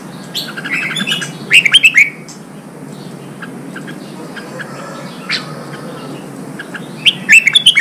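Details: Red-whiskered bulbul, newly trapped from the wild, stimulated to sing in preparation for singing contests. Two loud bursts of rapid, sharp whistled notes open and close the clip, with a quieter stretch of background hiss between.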